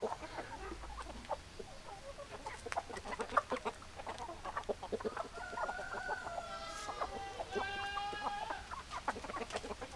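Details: Hens and roosters together: dense short clucks throughout, then from about five seconds long drawn harmonic crowing-like calls held for several seconds, overlapping other birds of the flock.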